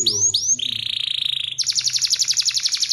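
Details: Canary in lively, continuous song with an elaborate melody: two quick rising slurs, a steady whistled buzzy tone, then a rapid pulsing high trill repeated many times per second.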